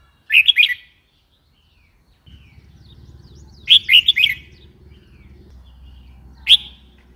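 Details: Red-whiskered bulbul uttering brisk warbled phrases: a short burst, a longer three-to-four note chirping run, then a single sharp note, over a faint low hum.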